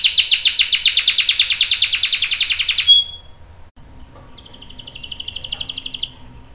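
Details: Canary long-roll song, used to prompt and tutor young and adult canaries: a loud rapid trill of about three seconds ending in a brief whistle, a pause, then a quieter fast trill.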